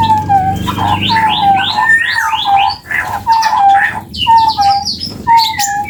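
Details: Long call of the Javan chestnut-bellied partridge, endemic to Indonesia: a steady series of falling whistles, roughly one each second for six seconds, overlaid by busy higher twittering and chirps from other birds.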